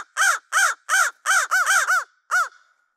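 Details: On Christmas Day, crows harassing and dive-bombing black vultures to reclaim their food pile give a quick run of seven harsh, hoarse caws in about two and a half seconds, several close together then one after a pause.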